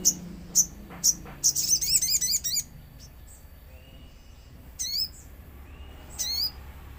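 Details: Common iora lure track with nature sounds, meant to draw a reply: sharp isolated high chirps, then a quick chattering string of sweeping notes, followed by quieter spaced bursts and faint whistles.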